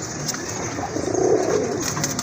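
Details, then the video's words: Male domestic pigeon of a recently breeding pair, filmed on a rooftop in Gazipur, Bangladesh, giving a low, soft rolling coo that builds and fades over about a second amid steady background hiss. "তো এই যে দেখেন এখানেও কিন্তু ডাকতেছে আর এটা অলওয়েজ ডাকে"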